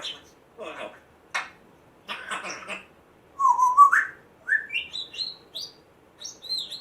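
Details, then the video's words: Pet African grey parrot, a rescued male one month after rescue, that picked up odd household noises in a former home. Several rough, hissing, throaty bursts, then a run of short whistles stepping higher and higher, ending in thin high chirps. "African Grey parrot talking, funny weird sounds"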